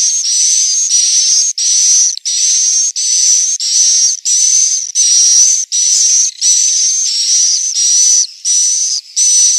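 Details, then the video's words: Roosting swiftlets in Central Sulawesi produce a steady series of about fourteen high, hissing buzz notes, each under a second long, carrying a faint whistled tone and separated by short silent gaps. "Suara asli, inap walet"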